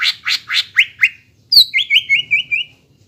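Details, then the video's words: Greater green leafbird singing to stimulate young birds: five quick harsh falling notes, a sharp click, then a run of six even, slurred whistles repeated rapidly. "PANCINGAN CUCAK IJO BAHAN ATAU BAKALAN AGAR CEPAT GACOR"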